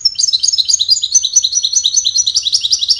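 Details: Goldfinch singing, its song described as melodious cascading notes used in courtship and communication; a fast, continuous run of bright, high twittering and tinkling notes, with no pauses.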